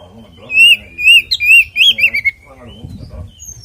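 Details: Oriental magpie-robin fighting song, used as a lure to make other magpie-robins sing: clear, wavering whistled phrases in quick succession, sliding up and down. Low murmuring follows near the end.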